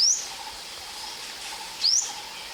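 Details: Ornate Sunbird, a common sunbird in Thailand, calling at a hide: two short, very high, thin upslurred notes about two seconds apart over a steady background hiss.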